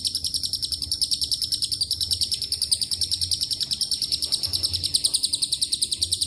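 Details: Lure recording of a lovebird's extended ngekek song with cililin and canary phrases: a piercing stream of rapid pulsed chirps, roughly three to four per second, unbroken, with faint low background noise.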